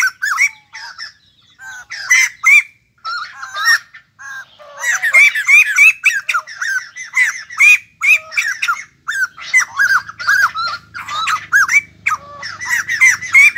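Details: Wild-caught white-crested laughingthrush, newly acquired as a cage songbird, delivering rapid loud chattering bursts of sharp up-slurred notes, repeated several times a second with brief pauses between runs, and a faint low rumble late on.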